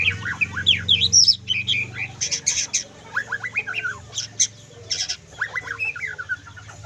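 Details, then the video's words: Trotol singing by a white-rumped shama with full kriwikan: fast strings of sharp chips and whistled trills, several per second, broken by brief gaps, a low hum running throughout. "MURAI LEPAS TROTOL FULL KRIWIKAN"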